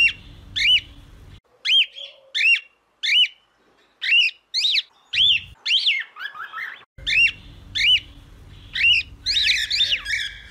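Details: Singing cockatiel repeats short, clear whistles that rise then fall, about one each second, broken by brief silences, with faint low hum underneath.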